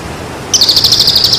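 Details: Bird song used to train birds during and after moult, beginning abruptly as a high, shrill, rapidly pulsed trill that holds steady for about a second.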